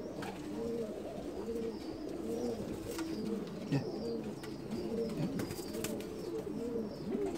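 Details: Saltanat pigeon, an ornamental breed historically kept in Ottoman palaces, held by a Bursa breeder; steady series of bubbling, wavering coos with a clear tonal edge, repeated in quick phrases roughly every second, plus scattered clicks and handling noise.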